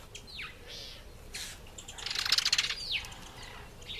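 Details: Green pigeon (Treron calvus) eating an apple gives high, sharply falling whistles, then a quick burst of crackling, clicking notes before another downslurred whistle.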